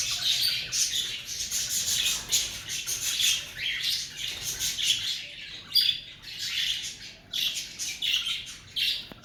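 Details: Cockatiels during the breeding season, many harsh grating calls overlapping in a steady chorus, with short pauses before bursts resume.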